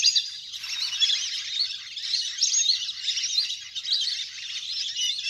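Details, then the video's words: A big flock of ducks playing in water, natural sound used for luring: a busy chorus of thin, squeaky whistles begins after a short pause and then runs on steadily. "เสียงนกเป็ดน้ำ! ฝูงใหญ่เสียงคมชัดมาก สำหรับต่อเรียกนกให้ลง"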